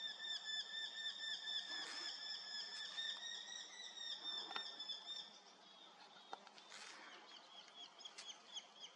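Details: Eurasian hobby in morning fog, 7 August 2024, repeating thin, ringing notes rapidly and evenly. The calling fades a little toward the end, and a few clicks and rustles are heard.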